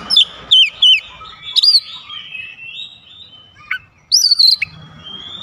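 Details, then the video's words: Oriental magpie-robin (kacer) delivering isian fill-in phrases while others join in: three quick downslurred whistles, a looping high note, a pause, then a wavering whistled trill. "KACER LAIN LANGSUNG IKUT BOCOR ISIAN SUARA"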